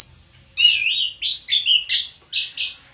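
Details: Orange-headed thrush kept at home, delivering a brisk run of short warbled and whistled notes, some buzzy and wavering, in tight groups with brief pauses between.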